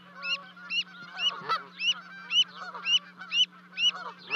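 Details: Canada geese calling as their two goslings jump from a 30-foot-high nest to join them, Charlo, Montana, 12 May 2020; evenly spaced, arched honks about every half second, steady background hum.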